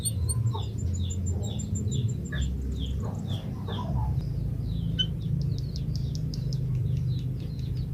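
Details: Singing Java sparrow, a species noted for long whistles: an even series of sharp high chips and clicks running for several seconds, then a fast rattling burst of clicks; low background hum.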